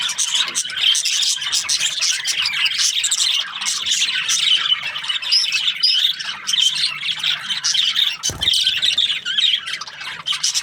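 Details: Budgerigar breeding pairs in an aviary give dense, continuous chattering and warbling, with rapid squeaky chirps and scratchy notes overlapping throughout and a brief knock near the end.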